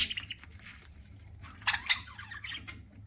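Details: Budgerigar chirping during a meal: short buzzy warbles at the start and again later, separated by two sharp clicking bursts, perhaps from seed-cracking.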